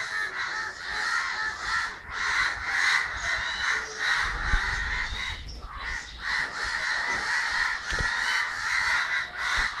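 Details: Flock of crows in Kerala on 9 December 2012 giving rough, repeated caws that swell and dip, with brief low thumps in the background.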